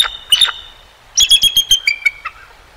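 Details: Bald eagles at the Decorah North nest, male and female, on a sunny 20 February 2023, picked up by a live nest cam: high, thin chittering notes, a short pair, then a rapid run of sharp staccato piping.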